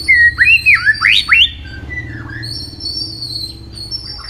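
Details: White-rumped shama in competitive song gives a quick burst of four or five looping, up-swept whistles in about a second and a half. A faint thin high tone and low background hum follow.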